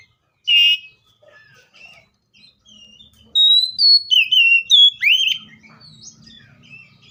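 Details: Seychelles magpie-robin giving one loud buzzy note, then after a pause a fast, loud series of varied whistles and slurred upward notes, with soft low rumbling behind.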